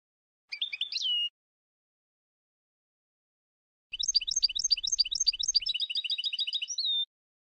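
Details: Tunisian European goldfinch giving its Sfax-style song phrase (tarqa) for tutoring: a brief twittered phrase ending in a sliding nasal note, then a long fast run of repeated chirps over a faint low hum, closing on a held nasal tone.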